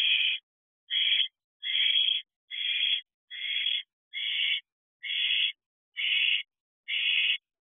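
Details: Owlet in a nest box at 12:42 am on 7 July 2023, eating a mouse, in its thirteenth week, with fireworks around: harsh, breathy hissing screeches, each about half a second long, repeated steadily about once a second, with no other sounds.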